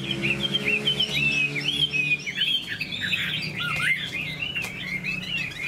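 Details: A Chinese hwamei in a cage sings a stream of bright looping whistles and short chirps, varied and unbroken, with a low mechanical hum underneath.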